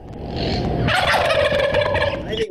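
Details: A Wild Turkey, of New York State, gives one loud, rapid, rattling gobble lasting about a second and a half, falling slightly at the end, after a moment of low rumbling background.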